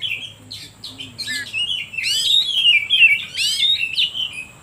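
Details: Oriental magpie-robin singing as a lure for other birds: short whistles building into a long continuous warbling phrase of slurred, rising and falling notes with sharp high accents.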